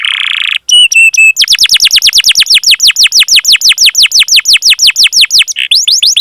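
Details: Canary training song for stimulating other canaries to sing: a brief buzzy note and a few pure whistles, then a long, steady series of quick down-slurred sweeps, roughly eight per second.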